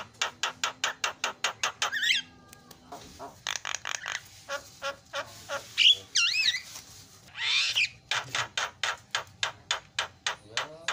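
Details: Javan myna filler song for training other mynas to call: long runs of rapid, evenly spaced sharp notes broken by wavering whistles and a harsh rasping burst, then more fast repeated ticking notes.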